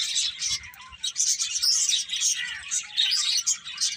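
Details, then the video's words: Birds chirping: a dense chorus of high, overlapping tweets and twitters that rises and falls in loudness, with soft low thumps underneath. "Cute Birds Chirping Sounds"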